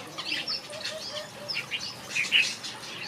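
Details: Finches kept in a backyard aviary give quick high chirps and brief twitters, mixed with soft fluttering of wings and a few lower, short notes.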